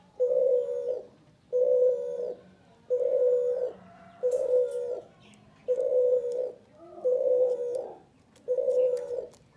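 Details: Repeated cooing of a male spotted dove, seven steady, throaty coos of even pitch spaced about every 1.4 seconds, with light clicks and rustles in the background.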